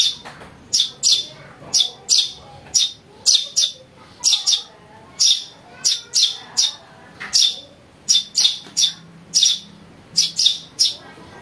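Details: Lure call of a house sparrow chick: a steady stream of shrill, clipped chirps, often doubled, repeated about twice a second over a quiet background.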